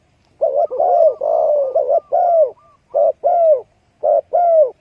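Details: Young dove with its mother calls in a near-continuous string of buzzy, bending mid-pitched notes, then in short paired notes separated by brief gaps.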